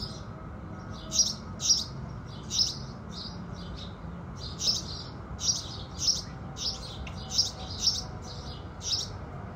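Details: In the early morning, house sparrows sing with the rising sun: crisp, high chirps spaced irregularly, sometimes in quick pairs, standing out clearly above a low, steady background murmur.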